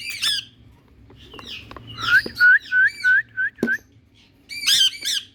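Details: Rose-ringed parakeet in India: a harsh screech, then a rapid series of clear whistled, downslurred notes, about five in a row, closing with another shrill screech.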